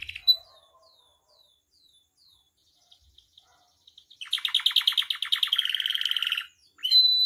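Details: Captive canary singing in the gacor full isian style, used to train and provoke other caged canaries: faint scattered high chirps, then a loud, fast, buzzy rolling trill lasting about two seconds, ending in a clear high whistle.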